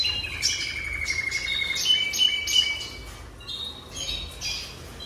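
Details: Jasper canary in song, a long steady rolling trill running beneath quick high chirps and whistled notes, bursts repeated about three times a second, then brighter warbled phrases toward the end; low hum behind.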